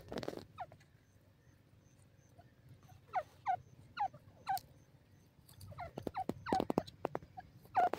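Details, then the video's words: Grey francolin, known locally as teetar or dakhni teetar, calling in South Asian fields: a series of sharp, descending harmonic notes in loose groups, several clustered near the end, over faint low rumble. "teetar ki awaz,dakhni teetar awaaz,francolin voice"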